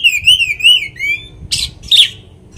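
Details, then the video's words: An Oriental magpie-robin's provoking song: a rolling, undulating whistled warble for about a second, followed by two loud harsh, noisy bursts. "kacer materian bikin Kacer lain emosi pancingan burung kaker"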